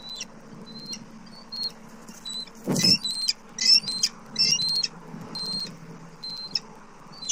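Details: Bald eagle pair at a Southwest Florida nest on 29 October 2024 as the male delivers food to the female; thin, piping whistles repeat roughly once a second over a low background hum, broken by one loud rough burst.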